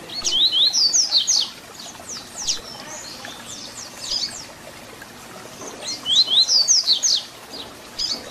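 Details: Tutor song of a double-collared seedeater (papa-capim), Tui Tui Zel Zel fibra style for young birds to learn. Two bright bursts of fast rising-then-dropping whistles, with softer slurred notes filling the gap between them.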